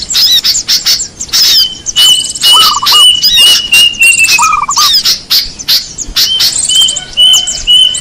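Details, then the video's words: Lure recording for small birds: busy chirping with sharp high tweets about twice a second, long thin level whistles and short lower warbled trills, several voices overlapping. "Suara pikat burung kecil"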